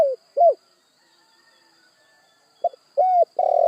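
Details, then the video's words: Spotted dove cooing in pieces: the end of one phrase with two short coos, a pause, then a new phrase starting with a soft note, a clear coo and a rolling, pulsed coo, over a faint hum. "Sekali Klik Burung Tekukur Anda Pasti Langsung Nyaut"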